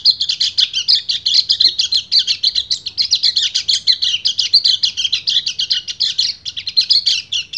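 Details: Breeding-condition male white-eye singing to draw a female: a long, unbroken, hurried twittering of high buzzy chirps that pulse quickly and evenly throughout, over a faint low background hum.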